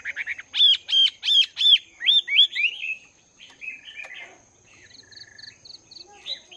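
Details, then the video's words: Morning voice training of a caged Chinese hwamei, two months in the cage: loud repeated rising whistles at a quick pace, then softer warbled notes and a short run of high chips. "Chim Hoạ Mi Mộc VIP 2 Tháng Lồng Luyện Giọng."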